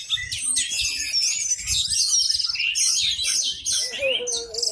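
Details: Caged Orange-headed thrush with tail opened, singing loudly as other birds join; rapid high warbling phrases with slurred whistles, plus a faint lower whistled tone near the end.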